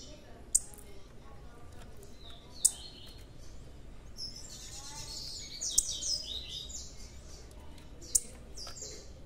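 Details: Big blue-black grassquit chick: sharp click-like notes at intervals of roughly two to three seconds, mixed with high, buzzy chirping bursts in a quiet setting.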